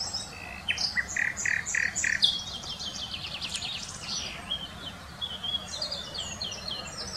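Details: Common nightingale song recorded around Wittlich, 2020: five slow, evenly spaced whistled notes on one pitch, then a fast high stuttering rattle, followed by scattered thin, sharp high phrases, with steady low background noise.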